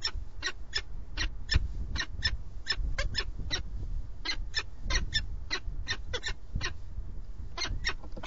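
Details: At an Alcalá de Henares (Madrid, Spain) nest where a peregrine falcon pair incubates four eggs, a live webcam picks up a long run of harsh, evenly spaced chattering calls, about three per second, over steady low rumble.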